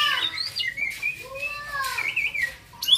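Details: Young white-rumped shama, a contest bird, giving long smooth whistled slurs, some rising and some gently falling, ending in a sharp high note.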